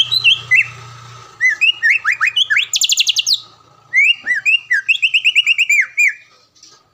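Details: Greater green leafbird recorded in captivity as training material; a regular champion at Palembang-area events. Energetic bursts of whistled slurs, high piercing notes and rapid chipping series, broken by brief pauses.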